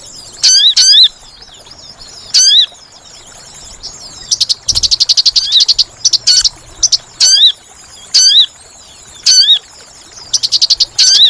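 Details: Sooty-headed bulbul lure call for bird trapping: repeated shrill, bending notes every second or so, broken midway by a long run of rapid chattering chirps, with a faint low hum.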